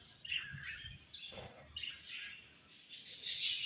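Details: Budgerigars in breeding season, chirping: soft scratchy warbles and short high chirps in loose bursts, with quiet gaps between phrases.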